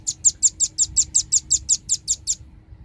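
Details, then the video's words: Rapid trill of a velvet-fronted nuthatch from a lure recording meant to attract birds, about thirteen sharp, very high chips evenly spaced at roughly six per second, then silence. "suara pikat burung rambatan ribut suara jernih paling ampuh"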